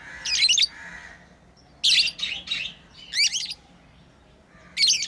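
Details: Playing pet lovebirds giving loud, shrill chirping bursts, some rasping, spaced a second or so apart, with a low, faint hum behind them.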